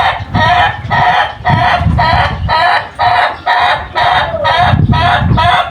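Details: Chicken on a farm giving a long crow: a series of loud, harsh, staccato syllables repeated about twice a second for nearly six seconds, with short gaps between them.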